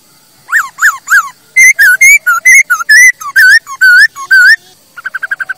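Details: Masked laughingthrush singing, a recording meant to teach birds to sing: three descending slurred notes, then a lively sequence of about twelve loud varied whistles, ending with a soft rapid series of short notes.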